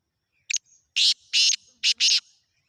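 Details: Black francolin (kala teeter) giving a short, harsh call: four raspy, noisy bursts over about two seconds, the first brief and clipped, the following three longer and evenly spaced. The background is quiet.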